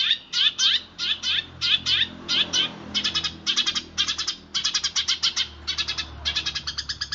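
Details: House sparrows fighting, recorded as a training call for songbirds: loud, sharp chirps in tight bursts of two to five, repeated quickly with brief gaps, high and harsh, over faint low background hum.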